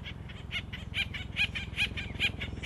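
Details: Acorn woodpeckers (Melanerpes formicivorus), a noisy family group with chicks nearly ready to leave, in an urban nature area by the American River: rapid run of harsh, nasal notes, about four per second, over a low steady hum.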